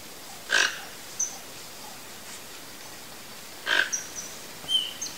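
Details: Wild Toco toucan, free-living, giving two short, harsh croaking grunts about three seconds apart, with faint thin whistles from other birds in the background.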